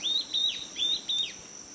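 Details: An antbird (Thamnophilidae) in the Amazonian rainforest, heard on a survey trail, gives four brief, high, thin whistled notes about 0.4 seconds apart, over a steady high insect hum.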